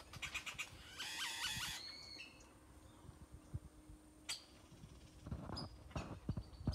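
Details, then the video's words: Many birds singing in a tropical tree in Nayarit, Mexico; a burst of rapid, harmonic, squeaky notes early on, then scattered sharp chips and short calls over a steady background hiss. "Many bird songs 🎵 fill tropical tree"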